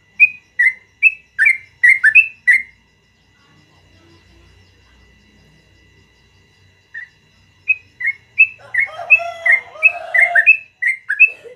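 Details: Yellow-vented bulbul in long rolling morning song: a burst of bright chirps, a quiet pause, then the chirps resume, mixed at the close with lower, harsher, buzzy calls from another bird.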